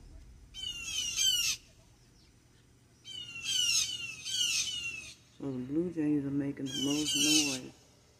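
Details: Wild blue jays in a backyard alerting to a hawk: bursts of harsh, high squawks repeated in groups, alongside lower, throaty, wavering calls in the second half.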